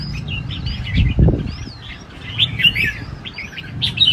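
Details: At a large singing arena, a red-whiskered bulbul gives its fighting-style song: short, liquid whistled phrases with looping upslurs and downslurs, separated by brief pauses, over low rumbling thuds and background noise.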